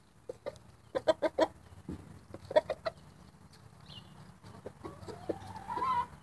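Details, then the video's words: Contented roosters give scattered short clucks, some in quick triplets, and then a drawn-out rising, whining note near the end. "Roosters making happy noises"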